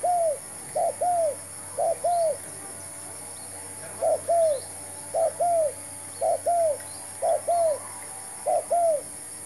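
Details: Decoy spotted dove in a trapping session calls repeatedly: paired coos, brief first note and longer arched second note, in an uneven series of about eight pairs, with faint hiss behind.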